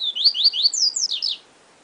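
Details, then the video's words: Yellow-bellied seedeater in the 'siu siu professor' song style, a fast string of high, slurred notes that sweep up and down, with two sharp clicks early in the phrase. "Papa Capim Siu Siu Professor"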